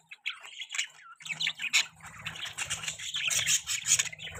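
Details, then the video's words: Budgerigars chirping, possibly while mating: a dense, continuous flock chatter of scratchy, warbling chirps and squawks, mostly high-pitched, with a low rumbling hum underneath from about one and a half seconds on. "Most beautiful budgie bird chirping sounds|Budgies Chirping Sounds"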